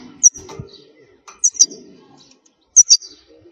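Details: Wild khalwi-style European goldfinch used for teaching fledglings to sing: three bursts of two or three piercing high notes over about three seconds, with low muffled background noise.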